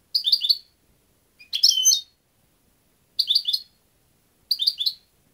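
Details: European goldfinch repeating short bright twittering phrases about every one and a half seconds, four bursts in all, each a rapid jingling cluster of high notes, clean background.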